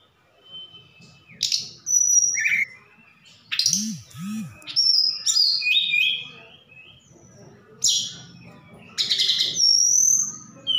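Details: Javan bush lark from Sukabumi in active song with imitations of cililin and sikatan londo: scattered sharp chips, whistled notes and buzzy bursts, with two low arched sounds midway.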